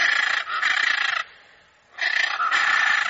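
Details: A hyacinth macaw screeches hoarsely in rapid pulsing bursts, a pair of long rasping squawks, a brief lull, then two more grating squawks of similar length.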